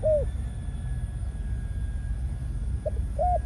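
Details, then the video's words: Spotted dove, a male decoy bird of Malaysian stock in breeding mode, gives short separated coo notes, a soft arched note, a pause, then two more quick coos, with constant low-pitched background hum. "Chim cu gáy mồi || Nọc Neymar dưỡng vài kèo ăn đất rồi vào chế độ Sinh Sản"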